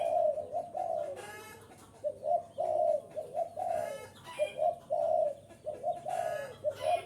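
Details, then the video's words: Spotted dove calling, a recording used to lure wild birds: low, mellow cooing phrases of several linked notes, repeated steadily one after another, with occasional short harsher chirps and rustling bursts between phrases. "am thanh chim cu gay kich boi,rut boi ve cuc mạnh"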